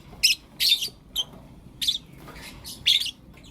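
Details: Blue opaline and lutino opaline lovebirds calling in the morning; five clipped, piercing chirps in irregular bursts with quiet gaps between.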